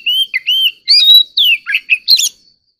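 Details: Oriental magpie-robin prompted into competitive song: short phrase of smooth whistled upslurs, a long bright note, then quick descending trills and chirps.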